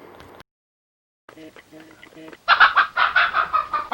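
A hen clucks loudly in quick, uneven bursts about four times a second, following a brief spoken voice.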